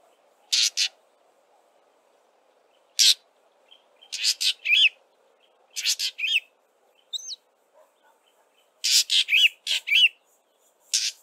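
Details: Fork-tailed drongo singing its usual song in irregular bursts of harsh, grating rasps mixed with short metallic twangs that bend upward, over a quiet background.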